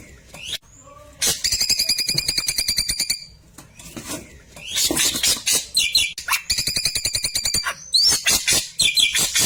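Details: Klewer in tembakan song, meant for tutoring white-rumped shamas: soft low whistles, then bursts of fast, evenly spaced buzzy notes alternating with scratchy chirps and sharp high swept calls.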